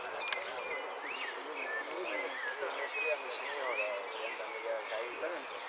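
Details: Hooded siskins at a song contest, Zona Norte, Argentina, 17 November 2013, sing a fast, continuous twittering of high, thin notes and quick rising slurs, several birds overlapping against a busy background hum.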